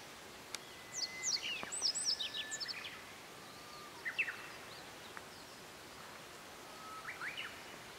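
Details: Japanese yellow bunting singing from woodland at Matsunoyama Onsen, Japan, where it often perches in paulownia trees; bright, high, rapid whistled phrases of sliding notes, then softer repeated phrases, with a Japanese bush warbler calling nearby.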